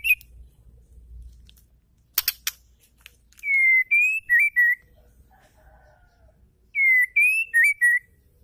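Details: Female white-rumped shama singing to stimulate males to sing: two clear whistled phrases near the high end, each a run of four or five bright, slightly wavering notes with sharp upper overtones, separated by a pause with faint lower chatter and clicks.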